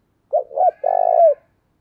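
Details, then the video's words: Decoy spotted dove used as a lure to draw in wild doves, giving one coo phrase: two short hooting notes followed by a longer, purring, slightly falling note; no other sounds. "Chim Cu Mồi Gáy thúc căng lửa, anh em mở nên bổi và mồi gáy theo cả ngày"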